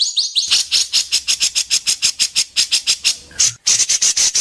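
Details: Competition white-rumped shama in Indonesia pouring out sharp besetan: a few whistled slurs, then a steady train of loud harsh notes about three per second, a brief pause, more notes.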